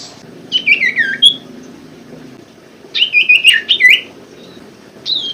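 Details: Common Iora sound for coaxing birds that stopped singing: short bursts of rapid slurred notes, partly buzzy, falling in pitch, in two phrases about two seconds apart and a brief third fragment.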